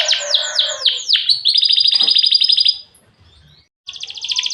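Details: Lively canary song meant to draw a response from other canaries: a run of swooping downward whistles becomes a fast, dense, high trill. After a short pause, another rapid rolling trill begins.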